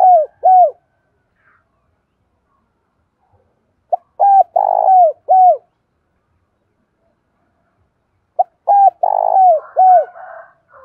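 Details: Spotted dove decoy cooing, used to provoke and lure wild doves: three separate phrases about four seconds apart, each a run of short, hoarse, low coos with a longer, rolling middle note, with quiet gaps between.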